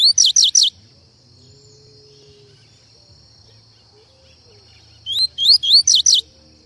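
Double-collared seedeater giving two quick bursts of sharp, rising chirps, about four notes each, separated by a pause, over a faint steady high-pitched whine.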